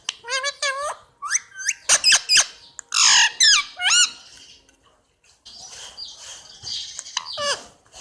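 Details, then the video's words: Indian ringneck parakeet at home chirping in a busy string of short sharp squawks and upward-flicking notes, some rapid and clustered, a pause near the middle, then softer scratchy calls and a final falling screech. "indian Ringneck chirping sound"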